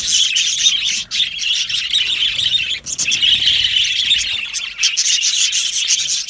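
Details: Australian budgies in a colony aviary, happy singing and chirping; a dense, continuous warbling chatter of many birds with scratchy trills and short squawks, briefly dipping near one and three seconds.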